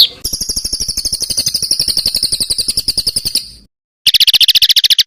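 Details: Bird song used to train competition songbirds: a fast metallic trill of evenly spaced high notes for over three seconds, a brief silence, then a shorter, lower buzzy trill.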